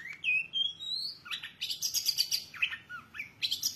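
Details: Long-tailed shrike giving clear, rising whistles, then a burst of buzzy, rattling high notes and downward slurs.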